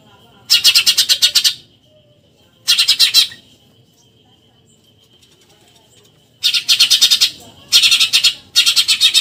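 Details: Eurasian tree sparrow giving 'tembakan nyerecet' chattering bursts, recorded as a tutor track for contest songbirds: five harsh, rapid buzzy pulse trains, each about a second long, separated by quiet gaps, with a faint steady high tone between.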